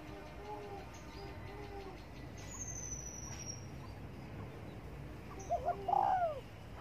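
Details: Spotted dove sunbathing in the morning, giving one cooing phrase near the end: two short soft notes, then a longer, louder falling coo. Quieter faint cooing and a high thin whistle are heard earlier over a low background hum.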